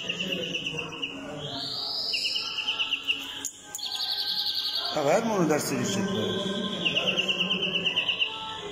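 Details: European greenfinch song: rapid rattling trills repeated in bursts, broken by a drawn-out rising buzzy wheeze, with a loud lower, voice-like harmonic sound in the middle and steady background murmur throughout.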